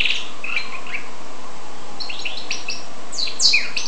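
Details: Goldfinch and canary hybrid giving short bursts of chirpy notes and quick down-slurred twitters, separated by a quiet gap in the middle.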